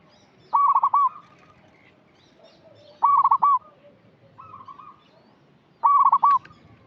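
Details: A vocally active local zebra dove, used as a lure to draw out untrained birds. It gives short phrases of quick stuttering coos ending in a rolled flourish, repeated about every two and a half seconds, with soft, level coos in between.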